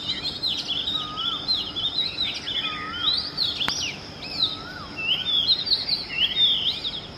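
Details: Oriental magpie-robin song in the early morning: a tumbling stream of varied bright whistles and slurred notes, with a quieter lower rising whistle from another bird repeating now and then, and one sharp click.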